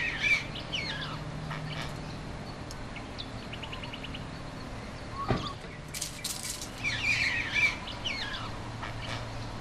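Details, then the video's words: Male grey bowerbird at its display court, where it builds a bower and gathers colourful treasures to court females. It gives scattered chirps and harsh, squawky bursts with a quick rattling series in the middle, over a steady low hum and a dull thump. "Prieelvogel - Bowerbird"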